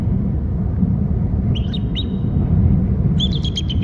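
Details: Adult male bald eagle calling at its nest and territory on Hornby Island: short thin high chittering notes in two bursts, the second a quick run of about five notes, over a steady low rumbling background.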